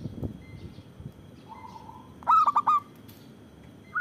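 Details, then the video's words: Local zebra dove in full voice, used to lure and prompt other doves: quiet background, then one loud burst of three to four cooing notes, with a soft low coo earlier and another starting at the end. "Perkutut lokal gacor Suara Besar Bagus Untuk Pikat dan Pancingan"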